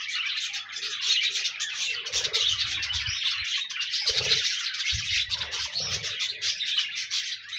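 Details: Pet budgerigars chattering together, meant to encourage a lonely pet budgie to sing: dense, continuous warbling and scratchy chirps from several birds, with a few low soft notes and faint thumps beneath.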